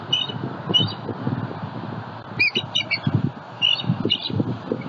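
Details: Adult pair of bald eagles in Southwest Florida, very vocal at the nest while protecting their eaglet from an overflying juvenile eagle. Short high chattering notes in bursts, over heavy low thumping and rustling nest noise.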